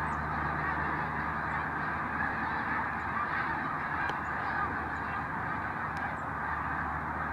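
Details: Over 5000 migrating snow geese rest at the Village Grande development on their way north, filling the air with an unbroken wall of overlapping nasal honking and yelping, with a few brief sharp taps.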